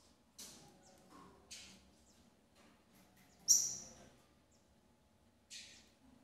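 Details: Female double-collared seedeater attending her chicks in captivity: scattered short, high, scratchy chirps, one loud drawn-out piercing whistle in the middle, then another brief rasping chirp.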